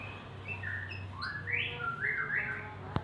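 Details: Morning song of a male white-rumped shama, with varied whistled notes that climb in rising slurs and end in a run of quick up-and-down whistles, plus a low steady hum beneath and a sharp knock at the end.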